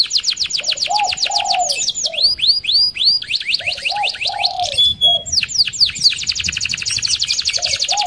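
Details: Canary performing a rolling song to lure other canaries: rapid, repeated high trills and swooping slurred notes, with a lower warbled note recurring underneath, continuous and energetic throughout.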